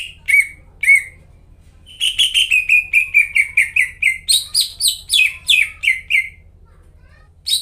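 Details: Greater green leafbird 'gacor' song used as a lure for caged leafbirds that are no longer singing: two sharp whistles, a pause, then a quick rhythmic series of downslurred notes rising into higher chirps, over a faint hum.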